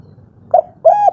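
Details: Agitated spotted dove of the 'kuk 3' type, calling as a lure for other doves: a single short coo followed by a longer, level hooting coo, in a quiet setting.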